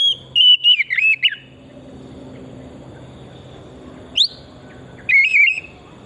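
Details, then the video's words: Oriental magpie-robin lure song: a rapid warbled phrase of slurred whistles, a long quiet gap, a single upward note, then another short warble, with low background noise. "Pancingan burung kacer pesona hutan murni gacor"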